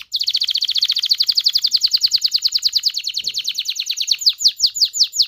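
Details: Canary singing to stimulate mating in both sexes: a long, loud, rapid trill of sharp downslurred notes that slows slightly toward the end.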